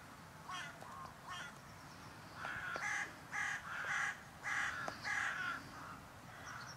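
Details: Carrion crows visiting a bird feeding tour in February, on a spring-like warm day: a run of harsh, hoarse caws, several overlapping in quick succession, with a faint high whistle from another bird and a steady background hiss.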